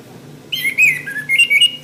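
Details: Orange-headed thrush, a caged bird, song for training caged birds: rich whistled warble with sliding notes, a dip to a lower note, then higher quick whistles, steady low hum beneath.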